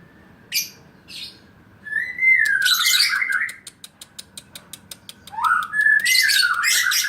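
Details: Young pastel blue lovebird, two and a half months old, kept caged and trained beside another lovebird, showing fighting spirit: long loud buzzy chattering phrases with falling whistled slurs, between rapid regular clicking and short chirps.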